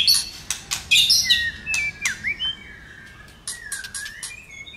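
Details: White-rumped shama singing a lot while excited and flicking its tail, a song to stimulate other shamas: clicky whistled opening, then drawn-out lower wavering whistles fading toward the end.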